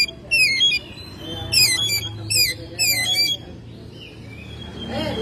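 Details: Oriental magpie-robin kept at home in May, delivering four vigorous bursts of quick, high, descending twittering notes in about three seconds, followed by a softer whistle, above a faint low hum.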